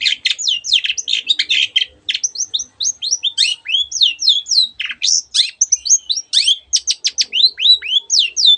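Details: Long-tailed shrike in full song, mixing in many other birds' sounds: rapid chatter, then a long string of sweeping, downslurred whistles and sharp chips, roughly four notes a second.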